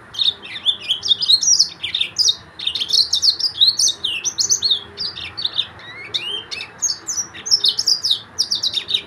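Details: Yellow-fronted canary delivering an extended, energetic song of rapid, sharp chirps and twittered trills in dense bursts with brief pauses between them.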